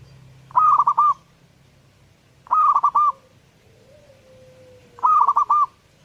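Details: Zebra dove in full song, repeating a brisk multi-note cooing phrase three times about every two and a half seconds; a faint thin descending whistle drifts between phrases.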